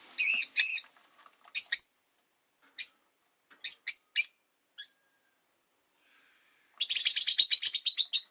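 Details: Pet Rosy-faced lovebirds, five birds caged beside a window, give scattered shrill chirps, single and paired, then a fast, buzzy chattering run of rapid high notes lasting over a second.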